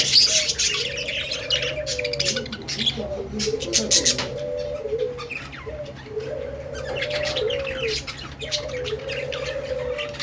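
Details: Budgerigar singing: dense, scratchy high chatter with clicks and squeaks runs throughout, over a lower steady hooting tone that swells and repeats roughly every two seconds.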